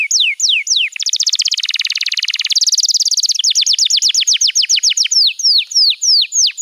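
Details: Canary master song for training young canaries: falling whistled notes, then a fast buzzy trill and dense rattling roll, followed by quick repeated downslurred whistles that gradually space out.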